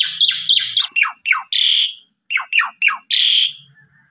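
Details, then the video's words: Asian pied starling song for provoking other birds: a series of quick descending chirps interrupted by two harsh, buzzy bursts, with a faint low hum underneath. "Pancingan Jalak Suren Biar Bongkar Isian"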